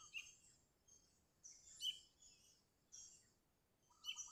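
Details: Lively sooty-headed bulbul calling rivals, used as a lure: sharp chirped phrases every second or so, separated by pauses, ending with a lower quick trill.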